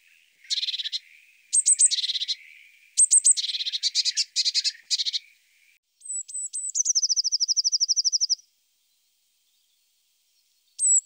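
Eurasian blue tit singing: a few high, thin introductory notes followed by a fast, silvery trill, with scolding churring bursts before it.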